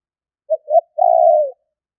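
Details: Spotted dove lure call for trapping birds: a brief coo, a second coo, then a long steady low coo trailing down, with nothing else heard.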